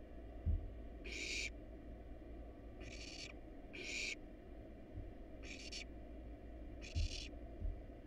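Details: Barn owl nestlings, wild and hungry in their nest box as a rat and rabbit are fed to them, utter five harsh screechy hisses, irregularly spaced, with soft thumps and low hum beneath.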